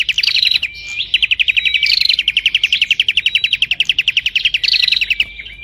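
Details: Prinia chattering densely without stopping, a rapid series of sharp high notes carrying periodic upswept whistles, one brief hesitation just before the first second.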